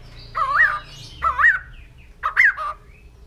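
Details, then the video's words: Three separate wavering whistled phrases, each dipping and rising, spaced about a second apart, from a white-crested laughingthrush (poksay jambul putih) against a low background hum. "Poksay Jambul Putih || Burung Tertawa"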